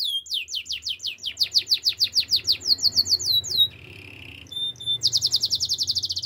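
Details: Canary in full song for training: a quick series of swooping notes repeated many times, a brief lower rattling roll, then a high, fast, buzzy trill.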